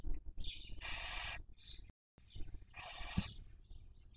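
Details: Breeding barn owls on a nest camera in Cabañeros National Park, Toledo/Ciudad Real, Spain, 2023 season. Two drawn-out harsh hissing screeches separated by a short gap, with faint high squeaky notes around them.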